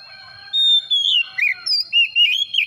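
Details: Kacer, the Oriental magpie-robin, singing to prompt a reluctant bird: a long pure whistle falling away, then a run of rich warbled, slurred notes rising and dipping, with a constant thin high tone behind.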